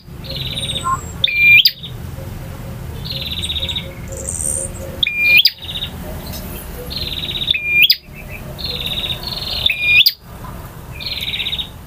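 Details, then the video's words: A male bar-winged prinia delivers its varied song, styles named ngotot, ngalun and kristal: rasping buzzy bursts and short piercing whistles spaced a couple of seconds apart, with abrupt cuts and a steady low background drone. "KICAU PRENJAK JANTAN FULL VARIASI DURASI PANJANG || NGOTOT,NGALUN,VARIASI,KRISTAL"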